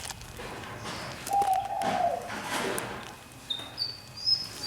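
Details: One-year caged fantail in a large enclosure: a single descending fluty whistle, a pause, then thin very high whistled notes near the end, against a soft background noise.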